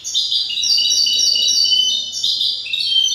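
A goldfinch hybrid sings a fast, continuous stream of bright, liquid twitters and tinkling trills, high-pitched and unbroken throughout; a faint low hum lies beneath.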